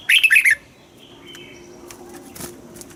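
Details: Red-whiskered bulbul from Thailand, caged, southern master song style used to rouse birds and train young birds: one fast burst of four liquid chirps at the start, then faint background.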